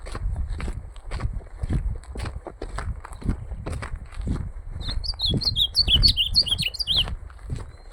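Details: Ultramarine grosbeak in a song contest, giving a rapid warbling phrase of high, bouncing whistled notes near the end, over loud, repeated low thumps and rustling.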